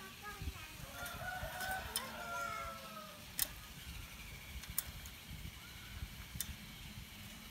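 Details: One of a pair of hill mynas being paired up imitates human speech, such as greetings like assalamualaikum and allahuakbar, in a few hoarse, voice-like phrases early on, then falls quieter over a steady low rumble with occasional sharp clicks.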